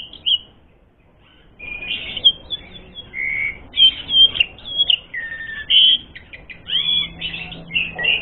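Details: Fighting lure song of an Asian pied starling: after a short quiet opening, a rich medley of whistled notes, squeaky chatters and buzzy phrases, some rising or falling, with a faint steady hum near the end.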